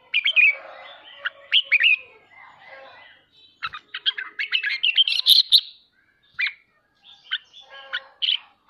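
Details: Red-whiskered bulbul song for training household birds: lively whistled and chirped phrases in several bursts, with a dense rapid stretch in the middle and brief pauses between phrases.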